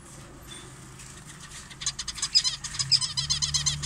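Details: Morning feeding time for zebra finches in an aviary, 6:30 am, cool with a light breeze; quiet at first, then from about two seconds a rising run of fast, high, nasal chattering calls over a low hum.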